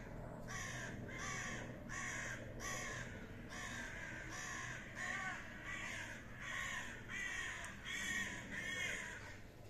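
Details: Common ravens fighting, giving loud, harsh, hoarse calls repeated about every second in a steady run of rasping bursts, with a low rumbling background throughout.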